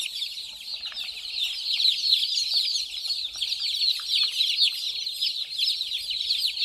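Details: Many baby chicks, white, playing and drinking water, give a dense continuous chorus of high, short, downward-slurred peeps overlapping constantly, with faint low thumps beneath.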